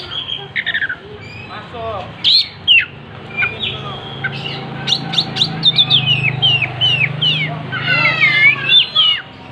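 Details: Oriental magpie-robin, tail spread, pouring out a varied song: isolated whistles and chips at first, then a quickening series of bright, down-slurred notes and a warbled flourish, with a low hum underneath.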